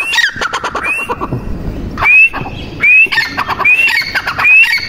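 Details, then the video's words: Female grey francolin calling: a series of rising whistled notes near the upper-middle range, repeated several times, mixed with harsh squawky bursts and some rustling background. "Madi Teetar Ki Awaz"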